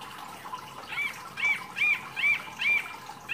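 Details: Actively singing wambi mini offered as masteran training material for songbirds: thin high whistled notes repeated roughly every half second over steady background hiss.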